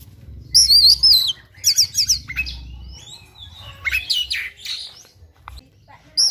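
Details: Kacer (oriental magpie-robin) singing hard in fighting mode with full fills: loud wavering high whistles, rapid stuttered trills and harsh chattering phrases, then quieter notes before a final high burst.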